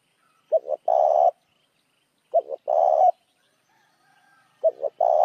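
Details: Luring call of a spotted dove meant to draw other doves: three phrases of two short coos and a longer buzzy coo, the last one cut off at the end.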